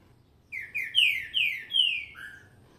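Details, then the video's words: Green-winged saltator, a newly kept caged bird of the Rei das Américas line, giving its roncando song style: a loud phrase of five rich, descending slurred whistles, then a lower closing note. "Trinca ferro roncando"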